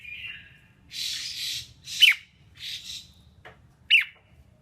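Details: Female red-whiskered bulbul, a song meant to excite males: a thin whistle, then harsh buzzy rasps alternating with two sharp falling whistled notes, over a soft low background hum.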